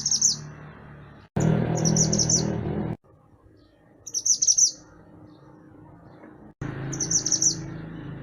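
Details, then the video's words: Lively mantenan gunung singing, used as a training track for songbirds: high, sharp, quickly stuttered chirp phrases recur every couple of seconds, partly over bursts of broad background noise. "Mantenan Gunung Gacor Burung Masteran Untuk Burung Kicau"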